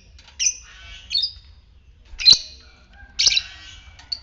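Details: Fighter lovebird in the ngetik style, used to excite other lovebirds into ngekek; sharp, high squawks at uneven intervals of about one second, some slurred, with faint tones between.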